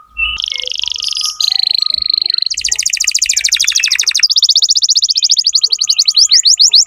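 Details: Tutoring song of a vigorous Atlantic canary for young birds: bright high trills shift from a steady ringing roll to very fast, loud rattling tours, then a long even trill ending in quick descending strokes, all piercing and continuous.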